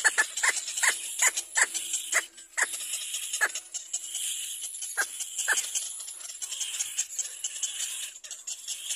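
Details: Little black cormorant chick crying to be fed by its mother. A fast burst of falling squawks opens, followed by scattered single cries amid constant high hiss.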